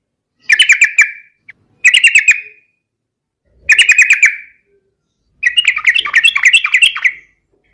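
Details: Fighting song of a yellow-vented bulbul, used to provoke rivals: three short, buzzy chattering bursts spaced about a second apart, then a longer bubbling warble.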